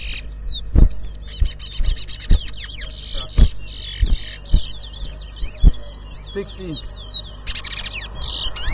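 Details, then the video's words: Competition towa towa, the large-billed seed-finch, at Rosehall Town, Guyana, in 2022: long bursts of dense, high, chattering whistled song with quick downslurred notes, broken by repeated loud thumps and taps, plus distant voices. "TOWA TOWA BIRD WHISTLING COMPETITION AT ROSEHALL TOWN"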